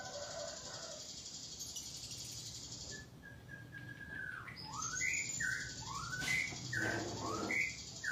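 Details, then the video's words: Ashy drongo singing in a rapid 'nembak rapat' style: varied clear whistled notes, some slurring downward, others short upward flicks, over a steady high hiss and low rumbling background noise. "Burung Srigunting Abu - Abu Gacor Nembak Rapat"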